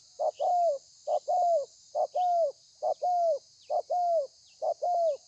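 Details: Spotted dove cooing in the thổ pha manner, a wild-caught bird, 30/11/2020: six evenly spaced phrases of a clipped hollow note and a longer falling coo, roughly one per second; a single click at the end over soft hiss.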